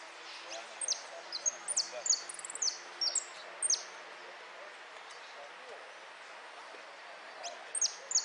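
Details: European goldfinch competing in a singing contest, 03 02 13, repique style: a burst of high, quick, downward-slurred notes and a short trill over about three seconds, then near-silence before a few more notes.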